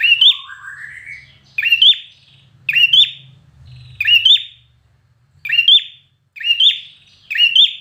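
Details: Competition-trained red-whiskered bulbul in fighting song: short, punchy whistled phrases ending in quick rising flourishes, repeated six times with brief pauses. A lower sliding warble comes at the start, and a soft rumble sits underneath.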